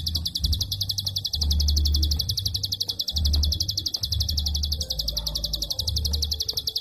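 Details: Prinia in a long klik-call session meant for tutoring songbirds: an unbroken rapid series of sharp high clicks, roughly four per second, over intermittent low humming and rumble.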